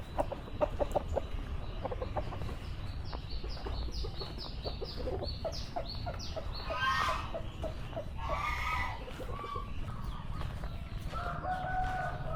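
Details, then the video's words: Chickens cluck in quick, choppy bursts and a rooster's drawn-out crow rises near the end, over a steady low rumble, on a dry yard in a morning village in rural Java, Indonesia, about 5 km from the south coast. "De nuevo, el patio está seco y el canto del gallo trae recuerdos del pasado, ¡obvio!"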